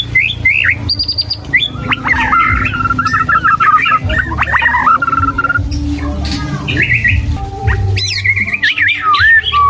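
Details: White-rumped shama singing well and switching tunes continuously: a rich medley of clear whistles, quick slurred phrases and chattery notes at varied pitches, over a low steady hum.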